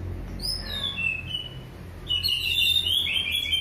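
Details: Orange-headed thrush giving a relaxed song to prompt other birds: a few descending whistled notes, a brief pause, then a denser, brighter run of high chirping and trilled phrases.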